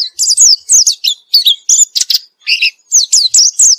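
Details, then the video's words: White-eye singing steadily after being given therapy: rapid, varied high chirps and twittering notes, many sliding downward, packed closely together with only brief gaps. "Gila nie pleci setelah diterapi gacor terus"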